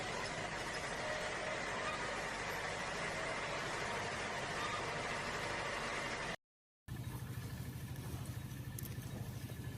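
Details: A steady idling engine drones with a broad hiss for six seconds, drops to silence briefly, then resumes more quietly with a faint hum and no animal calls.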